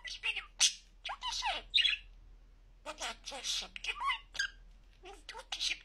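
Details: A pet budgie talks in high, scratchy imitated phrases with squawky accents. There is a quiet gap midway, then more rapid, warbling word-like bursts.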